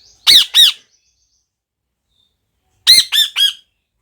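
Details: Parrot calling with a pair of harsh squawks, then a pause of about two seconds, then a quicker run of three similar raspy squawks.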